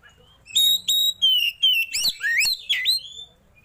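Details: Oriental magpie-robin (kacer) in 'roll tembak' song with rich mimicked fill, tail spread: about eight loud whistled notes, flat at first, then swooping upward, with faint clicks between.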